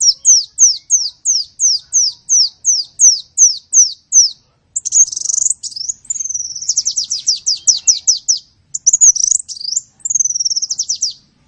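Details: Sunbird song used for training songbirds: a steady series of high downslurred notes about twice a second, then faster buzzy trills and twittering phrases in a quiet setting.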